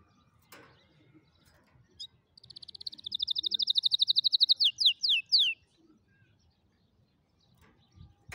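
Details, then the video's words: Singing canary used to tutor young birds: after a soft click, a rapid, rising-in-volume trill of high repeated notes runs for about two seconds and ends in three strong downward slurs, followed by quiet and faint knocks. "كناري يغني أفضل تعليم فراخ الكناري"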